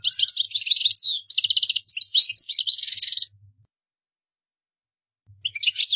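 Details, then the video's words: European goldfinch singing in qdara style, for other birds to learn by copying; a three-second flurry of rattling trills and twittering, a pause, then a fresh phrase begins. "تغريد مقنين قدارة"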